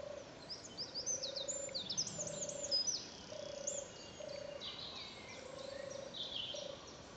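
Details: European turtle dove at Ruardean Hill on 2 June 2012, giving low, soft purring phrases repeated about once a second, six in seven seconds, while other songbirds twitter and whistle brightly high above.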